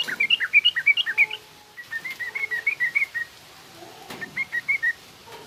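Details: Yellow-vented bulbul in 'trucukan garuda' style leading into rough 'ngriwik' twittering, for training young bulbuls to sing. Rapid chains of bright high notes alternating up and down, one burst after another with short pauses between.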